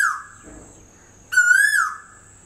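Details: Cuckoo, known locally as Kuli Sorai, singing from a tree at a home in Bagharbori, Panjabari, Guwahati: a loud, clear whistled note rising then slurring down, following a fading earlier note, over a faint steady high hum.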